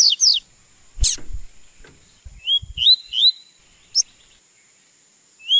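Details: Double-collared seedeater being trained to sing: short, sharp whistled notes and quick falling chirps, given in scattered bursts with silent gaps. Soft thumps and handling knocks come between the notes.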